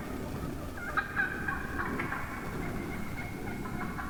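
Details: Morning flock of wild turkey hens; a few sharp clucks near the start followed by softer, drawn-out yelping notes that trail off, with low-pitched background noise throughout.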